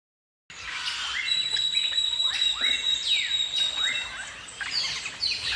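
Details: Galah, the rose-breasted cockatoo, giving a series of short, harsh down-slurred notes, roughly one every second, over a steady high thin whine and faint background chatter.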